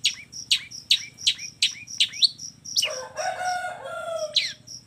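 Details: Long-tailed shrike singing its combination filler song (kombinasi isian): six sharp downslurred chirps repeated briskly, then a rough harsh chattering rattle and a final high note, over a pulsed piping tone.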